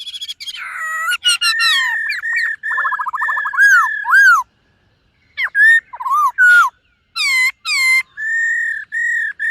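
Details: Morning singing practice by a white-cheeked laughingthrush: a rich medley of clear whistles, fast rattling trills, sharp rising and falling slurs and sweet held notes, with short silences between bursts.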